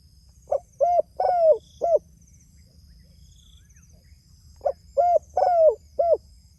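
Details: Spotted dove calling to its companions, giving two mellow cooing phrases of four notes each, the third note longer and falling, separated by a quiet gap of nearly three seconds; faint low rumble and high hiss behind.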